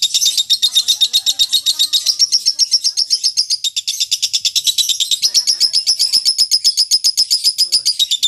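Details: Lovebird 'ngekek' chatter for contest training: a loud, rapid stream of shrill pulses with a thin whistled tone running through parts of it, the pace quick and fairly even throughout.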